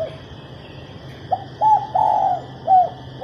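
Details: Female spotted dove calling to spur males into song: one phrase of soft hollow coos, two short notes, then a long sustained purring coo and a final short note, over a constant high-pitched hum.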